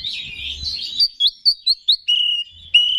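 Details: Oriental magpie-robin song, played as a lure to rouse other magpie-robins: a dense warbled opening, then a run of short, clear, high whistled notes and two longer level whistles with slight upturns.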